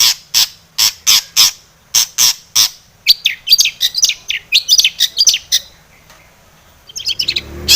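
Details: Long-tailed shrike lure song full of imitations: a series of evenly spaced harsh noisy rasps, then a quick tumbling sequence of high whistled chirps, a pause and a few final twitters.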